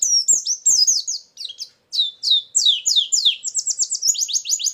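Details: White-eye lure song for trapping: loud, high twittering phrases of quick downslurred chirps, a short pause, then a fast, unbroken run of sharp, bright notes.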